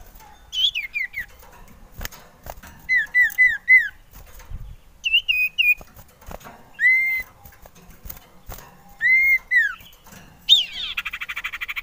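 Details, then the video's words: Male common iora singing as a lure bird, described as eager to mate: varied whistled phrases, falling slurs and repeated arched notes in short bursts, ending with a harsh buzzy note, with clicks between. "Merdunya suara cipoh sirtu ini cocok buat pancingan"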